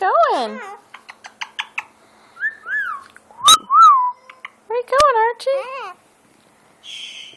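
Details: Archie, a pet burrowing parrot indoors around a sofa, gives harsh, slurred squawks and short rising-and-falling whistled notes, with a few sharp clicks, while a person talks to it.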